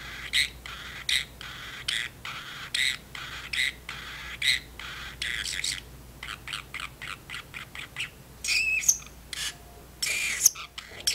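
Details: Pet parrotlet chattering in its cage while its owner washes dishes; clustered raspy squawks and quick chirps come in uneven bursts, ending with a few sharper, higher squeaks.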